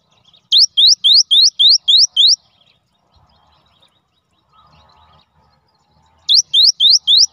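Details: Gelatik batu, the cinereous tit, singing as a lure: a burst of seven quick upslurred whistles, a pause with faint background noise, then four more rising notes.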